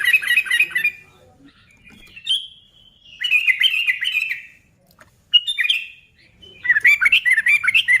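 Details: Lively sooty-headed bulbul song for provoking other bulbuls: repeated short bursts of fast, bubbly chattering notes separated by pauses, with an occasional drawn-out whistle between phrases.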